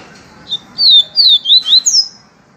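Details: Yellow-bellied seedeater (Sporophila nigricollis) in the "viviti" song style: a quick phrase of five high, sweet whistled notes, most slurring downward, delivered in under two seconds against a quiet background.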